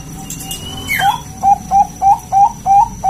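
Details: Local zebra dove in full, lively song, used to lure other doves into singing: a quick descending slide, then six short clear coo notes about 0.3 seconds apart, steady and evenly pitched.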